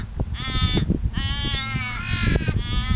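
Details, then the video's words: Australian raven at Lake Monger in Perth, Australia: three drawn-out nasal wails, the middle one long and sagging in pitch at its end, over a steady low rumble. "Australian Raven"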